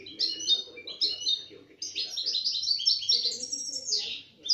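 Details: A European goldfinch in 2017, taken from its box, sings a short burst of sweet twittering that builds into a dense, rapid run of chiming notes. Low voices can be heard behind it.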